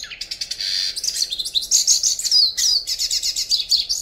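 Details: Yellow-faced Siskin (Spinus yarrellii), an endangered species, sings a fast, unbroken twitter of high chirps, buzzy notes and thin rising whistles, with no pauses.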